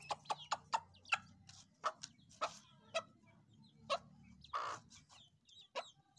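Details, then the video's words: Black francolin (kala tetar) gives a run of sharp, harsh clicking notes at uneven intervals, with one longer rasping burst near the end, over a faint low hum. "kala tetar ka awaz,black francolin sound"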